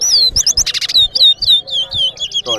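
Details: A chestnut-bellied seed finch (towa towa) sings in a bird-song race in Guyana: a fast run of bright, down-slurred whistles and warbled notes, several each second, with voices counting the notes in the background.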